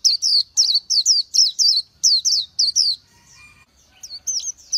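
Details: [8, 'Oriental white-eye singing a rapid string of sharp downslurred whistles, falling silent for about a second, then adding a few softer twisting notes.']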